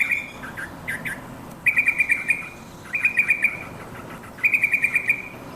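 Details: Yellow-vented bulbul, locally trucukan, calling companions in three separate bursts of fast, evenly repeated bright chirps on a steady pitch, each burst lasting under a second with quiet gaps between.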